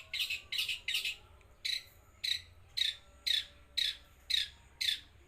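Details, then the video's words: Loud, rasping song of a long-tailed shrike in 'los trotol' style: evenly spaced harsh, scratchy notes about twice a second, with short silences between them. "BURUNG CENDET GACOR SUARA LOS TROTOL"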